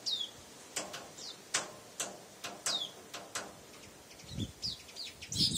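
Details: Male weaver bird that attacks his own reflection in a mirror every morning: short sharp chirps and descending squeaky notes, with soft thumps and fluttering between calls.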